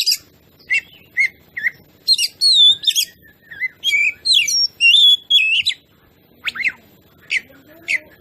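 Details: Oriental magpie-robin (kacer) song used to make other birds agitated and sing: lively sequence of short whistles and longer warbling phrases, about two notes per second.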